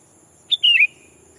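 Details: Lure sooty-headed bulbul calling out rivals to attract wild birds; one brief phrase, a clipped high note then a smooth whistled slur gliding downward.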